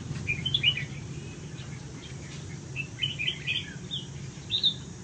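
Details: Huế-strain red-whiskered bulbul held in a golden cage sings quick high chirps, one cluster near the start and a run of sharp notes in the second half, with low hum underneath.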